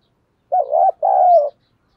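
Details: Spotted dove used as a decoy, cooing to lure wild birds, gives two low mellow coos, the first short and broken, the second longer and slightly falling, in an otherwise quiet setting.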